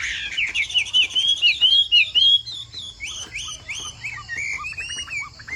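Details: A Chinese hwamei of the Hoạ Mi Bộ Tam Hoàng kind pours out loud, bright, slurred whistles in quick succession, then shifts to shorter downward-sliding notes, each about half a second apart.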